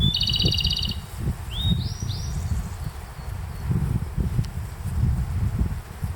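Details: Japanese robin singing in a bright bamboo-grass meadow at Konashidaira, Kamikochi, Japan, in late May: a fast, high rattling trill opens the clip. Rising stepped whistles from a answering Grey bunting follow, over steady low rumbling background noise.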